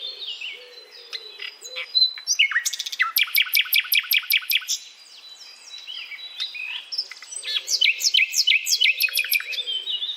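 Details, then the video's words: A common nightingale sings a varied, high song of rapid repeated notes, fast clicking trills and sliding whistles, with a faint low hum underneath. "Nightingale singing"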